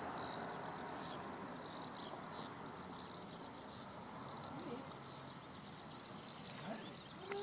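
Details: Eurasian skylark singing on a sunny June 5, 2013, at the fourth parking lot of Okayama Airport, Japan, recorded on a Lumix DMC-FZ150; a continuous, rapid, high twittering warble runs unbroken throughout over a steady background hum.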